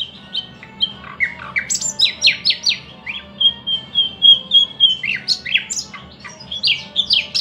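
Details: Thrush nightingale in full song: a long sequence of loud, sharply falling notes, a sustained steady whistled stretch in the middle, then rapid, varied chirps and slurs repeated several times a second.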